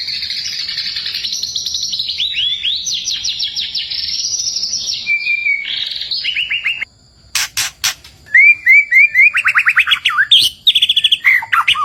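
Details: Energetic white-rumped shama song in forest, a lure to make birds sing: high rapid trills and rattles, a pause, then sharp clicks and repeated short upslurred notes in quick bursts.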